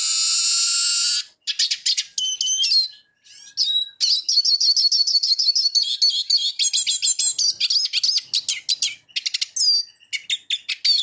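A Eurasian siskin sings a fast, high twittering run of chirps and trills, mixed with drawn-out wheezy buzzes, with almost no pause for eleven seconds.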